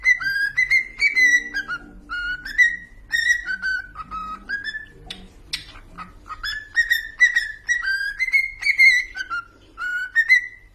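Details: Pet cockatiels singing a long whistled tune of repeated clear notes, each rising then dipping, delivered in quick steady phrases across the whole stretch with a brief noisy burst midway.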